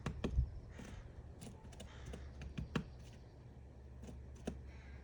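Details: A woodpecker building a nest taps single, uneven knocks into wood, about one every second or two, over a steady low hum.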